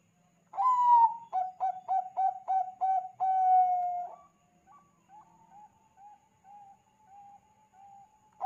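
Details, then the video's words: Bangkok-type zebra dove in full song, played as a lure so other zebra doves start calling. A long opening coo is followed by quick short coos and a long closing note. Softer, distant dove coos follow in a repeated series. "SUARA BURUNG PERKUTUT BANGKOK GACOR AMPUH UNTUK PANCINGAN SEMUA PERKUTUT LANGSUNG BUNYI"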